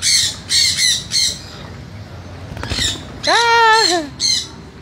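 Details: Pet sun conures, called very naughty by their owner, screech loudly in harsh rasping bursts, three quick ones, then a longer wavering nasal cry and a final screech, with low hum between calls.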